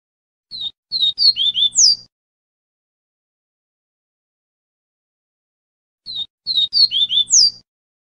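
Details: Double-collared seedeater tutor song used to teach a chick its song: two bright, high phrases of quick twittering and slurred whistled notes, each about a second and a half, with a quiet pause between them.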